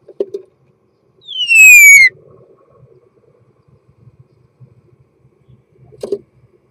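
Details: Starling in mating song: one strong, clear whistle gliding downward, with soft low clicks before and after over faint background hum.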